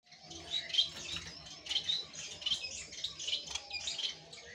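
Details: A crested society finch gives soft, high chirps and twittering notes in quick bursts, with faint rustling in the background.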